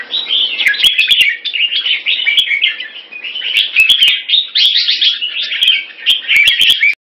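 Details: Red-whiskered bulbul kept in Singapore, performing a rotational sparring display with fast 'beewing' song: unbroken hurried warbling and chatter, with sharp clicking sounds throughout.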